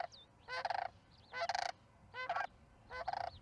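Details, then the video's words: Sandhill crane at a Charlo osprey nest, evening of May 14, 2019, 6:30 pm: four loud, rolling, rattled bursts, each under half a second and about one per second, with thin high slurred whistles between them. "Sandhill crane calls?"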